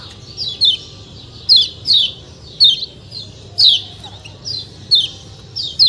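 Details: Repeated high, downward-slurred chirps from a white-eye (kecial kuning), mostly in twos, spaced about a second apart in a 'ciak ciak' pattern, with a faint steady hum below.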